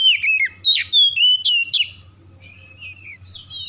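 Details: Oriental magpie-robin lure song meant to set other magpie-robins singing: loud, clear whistled notes with sliding and wavering pitch, delivered in quick bursts, followed by softer warbling phrases over a low background hum.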